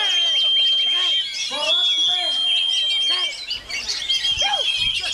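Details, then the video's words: Oriental magpie-robin in strong wind pouring out quick repeated chips, down-slurred whistles and chattering bursts, the song easing slightly toward the end against a steady high hum. "ANTI BADAI‼️Kacer KEJORA Tak Peduli Walau Diterjang Angin"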